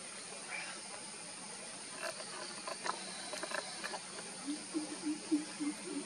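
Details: Greater coucal recorded at Naravi, Belthengady Taluk, coastal Karnataka, India, on 2 July 2020: a quick run of about six deep, hollow hooting notes near the end, over a steady high insect hiss and scattered clicks.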